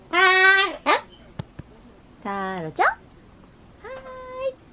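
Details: Pet Ducorps's cockatoo chattering indoors and trying to say bye-bye: three drawn-out, speech-like voiced syllables, the first two sliding down in pitch, followed by a steadier, nasal closing note.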